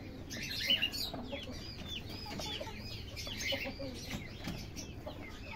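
Golden Buff chickens give many overlapping high, chirping peeps and soft clucks in quick succession over a steady background murmur.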